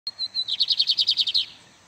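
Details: Lined seedeater singing in the casca grossa style, a bird kept by breeders: a high thin whistle opens, then a rapid buzzy trill of about ten pulsed notes, high-pitched and fading at the end.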